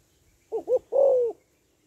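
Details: A single cooing phrase from a female spotted dove, used to stimulate males: two brief rounded notes, then a long, smooth coo that drifts slightly lower at its end, in a quiet setting.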